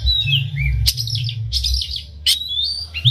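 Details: Oriental magpie-robin in full song, used to provoke other magpie-robins into singing: varied whistled phrases with rising and falling notes, scratchy bursts, with a steady low hum underneath.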